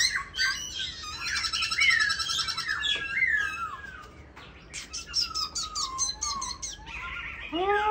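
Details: Caged black laughingthrush, pink-legged and tame, sings a long, rich medley: a rapid rattling trill, descending slurred whistles, a string of quick ticking notes, then scratchy chatter. A quiet indoor hum persists.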